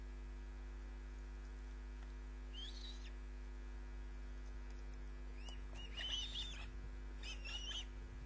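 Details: Osprey calling at its nest, captured from a live nest camera on 29 June 2010: several groups of high, piercing whistled chirps, increasing toward the end, with a constant low electrical hum beneath.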